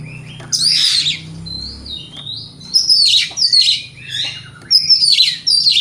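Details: Morning lure song of a white-rumped shama meant to make rival birds reply: harsh buzzy bursts interleaved with long sliding whistles, phrases in quick clusters, faint low droning hum in the background.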